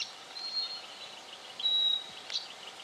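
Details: Black honeyeater recorded in Victoria, Australia, in October 2011: thin, very high, level whistles drawn out like a held note, a short one early and a longer, louder one midway, over faint soft chatter and background hiss.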